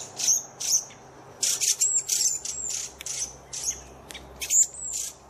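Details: Redwing giving a run of very high, thin squeaky chirps and short sharp whistles, spaced irregularly about every half second with brief pauses between bursts, over a quiet background.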